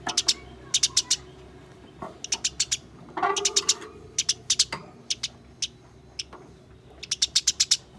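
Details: Sparrows in a fight, played to coax caged birds into singing: scattered clusters of piercing chirps, some rapid and some spaced out, with a short lower rasping sound in the middle.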